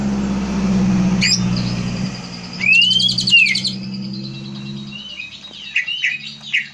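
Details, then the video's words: Green leafbird song played as a lure to draw out a bird's repertoire: a loud upward-slurred whistle followed by short sweeping chirps, over a constant low rumble like traffic. "pancingan burung cucak ijo keluar isian"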